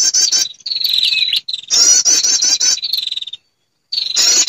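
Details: Female prinia calling to males, used as a bird lure: high buzzy trilled bursts alternating with thin steady whistled tones, broken by short silent gaps.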